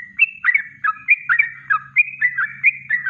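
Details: Yellow-vented bulbul in natural kongslet-style song for training birds: rapid liquid warbled notes, nearly four per second, with rising and falling whistled slurs, and a faint low hum beneath.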